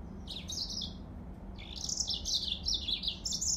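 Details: Yellow-fronted canary singing: quick high twittering phrases that sweep up and down, a short burst, a pause, then a longer run of bright chirping notes over a low background hum.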